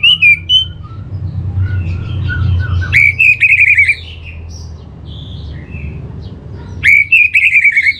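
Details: Used to coax kept birds into song, this Orange-headed thrush gives loud warbled whistled phrases about every four seconds, separated by softer scattered notes, over steady low background rumble.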